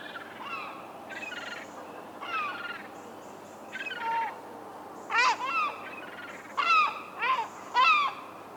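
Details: Herring gull (Larus argentatus) recorded in the wild gives loud, nasal, yelping notes that drop in pitch; fainter calls first, then a louder run of four in the last few seconds, with other gulls faint behind.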